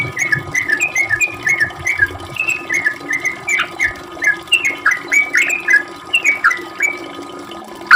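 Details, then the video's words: Sooty-headed bulbul lure song in fast 'ropel' style for drawing replies: a run of bright, bubbly whistled notes, some rising sharply, repeated at an even quick pace. "Trucuk gacor ROPEL panjang buat pancingan trucuk agar bunyi"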